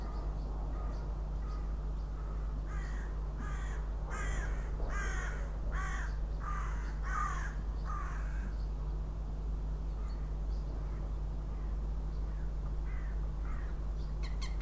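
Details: At a nest in Riga, Latvia, a male northern goshawk sits on the eggs, 6 April 2016; a run of loud, rasping, cackling notes builds and fades over several seconds, then fainter scattered calls over a constant low mechanical hum.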